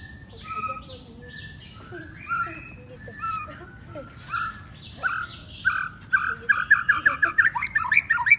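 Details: White-rumped shama singing after a bath, in unfriendly weather: varied whistled phrases and chirps, building to a fast repeated series of bright notes near the end, over a steady low background rumble.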